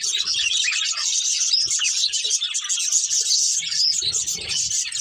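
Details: High, busy twittering from a breeding pair of budgerigars, continuous warbled chatter with short whistled notes, soft low rumbling near the end.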